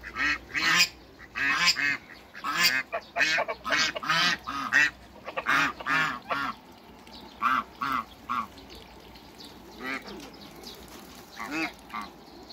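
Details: Meeting of hybrid Cayuga and female Muscovy ducks, farm birds: a long run of raspy, nasal quacks, clustered in quick groups of two to four, loudest early, then thinning to scattered single calls.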